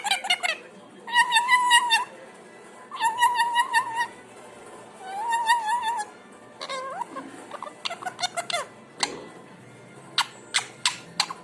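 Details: Pet parrot giving three long warbling whistled phrases separated by pauses, then a series of squeaky upslurred notes and sharp clicks in quick succession.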